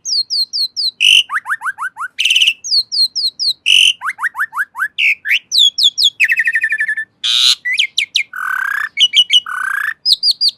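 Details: Long, busy song of an Asian pied starling, mixing fast series of high slurred whistles, descending note runs, harsh scratchy bursts and buzzy rattles, delivered almost without pause in a quiet setting.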